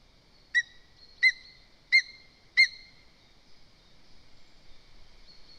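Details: Lesser spotted eagle female at a nest with a chick in Zemgale, Latvia, calling her mate because another bird is too near the nest: four clear, high yelping notes with a sharp drop, spaced about two-thirds of a second apart, then quiet.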